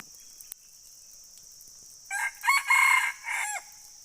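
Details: Red junglefowl crowing once: a hoarse, clipped crow of about four harsh, harmonic-rich bursts over roughly one and a half seconds, with the loudest middle part held and a final falling note, over a constant high insect hiss.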